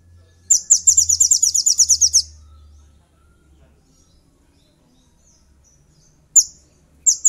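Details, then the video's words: Sooty-headed bulbul used as a lure to call rivals and make other bulbuls agitated, giving a fast burst of about fourteen shrill, high chirps in under two seconds, then two short sharp notes. "SOGON GACOR DOR TEMBAKAN SEJALUR"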